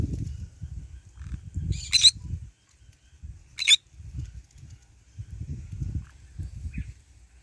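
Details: Green-cheeked conure eating in the morning sun, with steady low crunching and rustling throughout and two brief, harsh, high squawks rising above it, about one and a half seconds apart.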